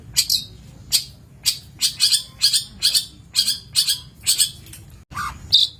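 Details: Long-tailed shrike, master recording for training birds: a run of harsh, broadband rasping notes given about every half second, each a short scratchy burst, ending with a lower note.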